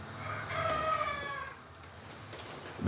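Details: Rooster crowing on a bailiff's recording from Oléron island, France, offered as court proof that it crows at the stated hours, audible from a couple's bedroom; one harmonic crow of about a second and a half, then quiet room noise.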